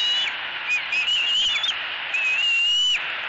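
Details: Shrill wavering squeals sliding upward, one long drawn note near the end, from an eaglet demanding fish from its mother in southwest Florida, spring 2018, over constant hiss.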